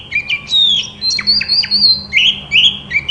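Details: White-rumped shama singing a training song to trigger another shama's reply: loud sweet whistled phrases, long slurred notes and quick upswept whistles repeated steadily, very clean with little background.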